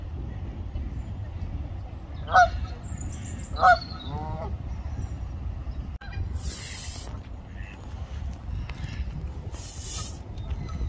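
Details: Canada goose honking: two loud, nasal honks rise with harmonics about a second apart near the start, then stop. A steady low rumble runs underneath throughout, with a few hissy bursts later on.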